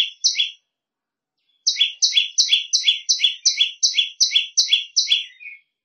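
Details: Prenjak lumut training song: two shrill double notes, a pause of a second, then a steady run of about ten bright high notes ending in a softer trailing note.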